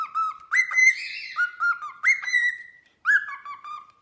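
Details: Pet cockatiel singing for whistle training: smooth whistled notes that step up and glide down, some long and level, with a brief hoarse rasp after the first phrase.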